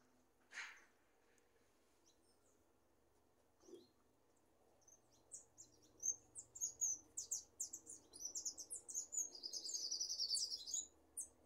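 Goldfinch warming up to song: a click and soft thump, then a quickening run of bright, high twittered and tinkling notes that turns into a rapid liquid warble.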